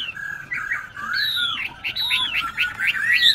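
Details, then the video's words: A tame captive Chinese hwamei, kept in Tân Túc, Bình Chánh, Ho Chi Minh City, sings loudly: rich whistled phrases sliding up and down, varied notes run together with barely a pause. "Họa Mi Thuần Đét Hót Hét Ok"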